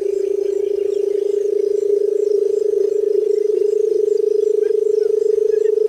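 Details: Barred buttonquail keeping up an unbroken low purr, rapidly pulsed and steady in pitch for the whole stretch, with faint ticking sounds above.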